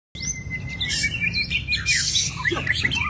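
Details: White-rumped shama, described as a super long bird, singing in the wild: a varied run of bright whistles, trills and rich warbled notes over a steady high tone, with bursts of hissing noise and a low rumble beneath.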